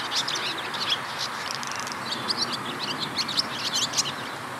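Barn swallows give rapid, thin twittering chirps, many short high notes tumbling over one another in a steady chatter, over a faint hiss.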